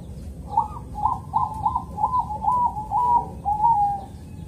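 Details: Morning song of a Bangkok-type zebra dove from Kediri, East Java, a calm rhythm used to lure other zebra doves to sing. Around eight quick, slightly rising coos end in a longer level note, with faint rumble beneath.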